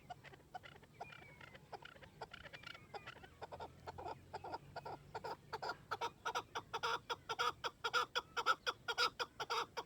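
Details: Chukar partridge giving a long run of clucking chuk notes. They start faint and sparse, then grow louder and faster, about two a second. The notes become a rhythmic, accelerating chatter, over a quiet background with a few faint whistles.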